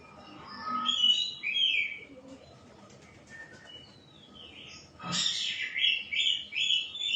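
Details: White-rumped shama singing soft, varied whistled phrases, then a sharp click. A louder run of bright, stepped notes follows.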